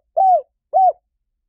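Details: Two mellow, hollow coos from a spotted dove, each about a quarter second long and gently arched, spaced roughly half a second apart against silence.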